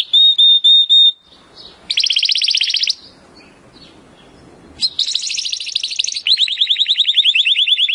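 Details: Timbrado canary training song: a few pure whistled notes, a buzzy burst, a quiet gap with soft background noise, then rapid rolling trills to the end.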